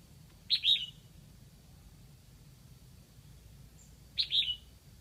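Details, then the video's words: Two bright whistled phrases, spaced under four seconds apart, from a decoy red-whiskered bulbul in Lạng Sơn calling to bring in wild birds; each opens with a sharp note and trails into a falling warble, amid low hum. "Mào mồi gáy kiểu này liệu có gọi được bổi không đây?"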